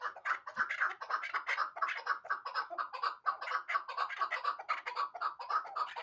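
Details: A hybrid chukar partridge from last year's brood calls in a steady stream of raspy clucks, roughly two per second, overlapping into a continuous chattering series with no other sounds evident.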